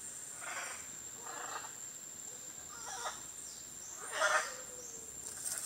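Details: Scarlet Macaw in Costa Rica giving four harsh, raspy squawks spaced unevenly, the loudest near the end, over a steady high insect whine.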